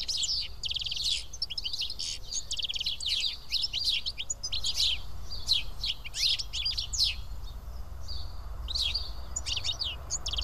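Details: House sparrows perched and eating together at Karyotissa, Greece, chirp in dense bursts that thin out toward the end, leaving scattered single notes over low background noise.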